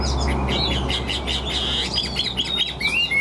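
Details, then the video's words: Chinese hwamei in a cage, singing tirelessly with wing-flicking display; rapid buzzy bursts and short whistled slides packed closely together, ending in a sharp rising whistle, with low humming underneath. "Họa Mi Hót Như Máy, Điện Đóm Căng Ra Giọng Đều"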